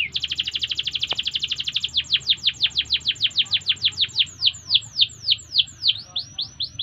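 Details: Training song of a canary, opening with a very fast, even high trill that shifts into a series of sharply descending whistled notes, several per second, gradually spacing out; a soft low background hum throughout.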